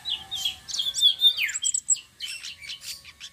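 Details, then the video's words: Flowerpecker giving a rolling song used to lure other birds: a loud, fast, high twittering run with a sharply falling slur midway, then quick chirped notes over near silence. "BURUNG TLEDEKAN SITRUN SELENDANG BIRU NGEROLL||BISA BUAT PANCINGAN"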